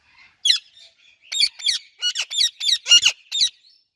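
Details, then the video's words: Pet Indian ringneck parakeet chirping together with an Alexandrine parakeet: about nine sharp, harsh, high chirps in quick, uneven bursts over four seconds, with short soft notes between and a quiet background. "Indian Ringneck and Alexandrine Parrot Natural Chirping Sounds"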